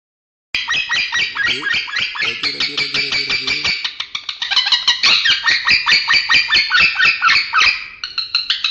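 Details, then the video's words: Indoors, a male lovebird makes strange, unclear sounds: a dense stream of rapid, harsh chirps and squeaky notes after a brief silence, with a low humming tone underneath for a couple of seconds midway. "Masteran love bird suara aneh"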